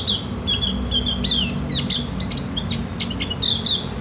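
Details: Song of a Javan grey-throated white-eye used to train captive birds to twitter: a running series of high, sharp whistled notes and quick chirps, some slurred downward, above a constant low rumble.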